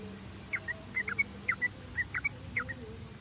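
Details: Sooty-headed bulbul singing, used as a lure to stimulate song: short paired liquid notes repeated about every half second over a soft hiss.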